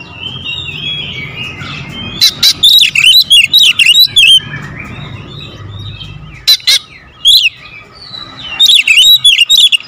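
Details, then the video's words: Oriental magpie-robin 'pancingan' with rapid 'tembakan rapat' bursts: soft warbling over low background hum, then three separate volleys of fast loud clipped notes and twisting whistles. "PANCINGAN KACER SUPER POWER TEMBAKAN RAPAT"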